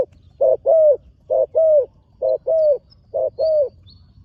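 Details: Young trainee spotted dove on the dirt competition ground for the first time, cooing in a steady rhythm: four paired phrases, a brief note then a fuller, slightly descending coo, about one phrase per second.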